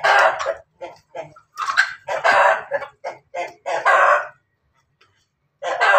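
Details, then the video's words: Ayam Ketawa Bangkok and Pelung cross chicken in Banguntapan, Yogyakarta, calling before laying eggs: a run of short, harsh, broadband clucks and squawks at uneven intervals, ending in a pause and one more loud burst. "Ayam hasil persilangan ketawa Bangkok pelung berkokok mau bertelur"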